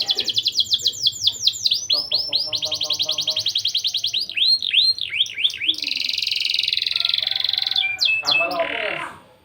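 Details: A canary with a lively 'cuit-cuit' style song, used as a lure to stir breeding urge in young canaries. Rapid repeated high trills and looping whistled sweeps alternate with stuttering lower notes, ending in a buzzy rolling phrase.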